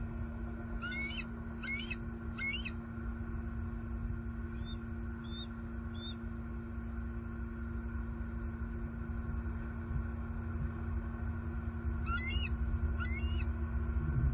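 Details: Two bald eagles at their nest tree in southwest Florida on 13 May 2021, waking up after perching together overnight: faint high chittering call series in short bursts, over strong steady mechanical hum and background noise.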